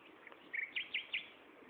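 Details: Common nightingale singing at Gaasperzoom on 16 May 2012, 15:30: a short run of four clear chirped notes, a flat buzzy note followed by three sharp upswept ones, with faint background hiss.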